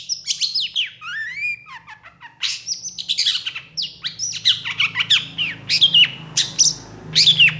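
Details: Long-tailed shrike in lively tutor song full of fill-in phrases, quick to react to other shrikes; a jumble of squawky notes, trilled slides and sharp sweeping whistles, loud and varied throughout.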